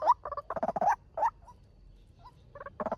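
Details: Male white-breasted waterhen call used as a trapping lure. Harsh, nasal croaking notes come in quick bursts with short pauses and faint single notes between them.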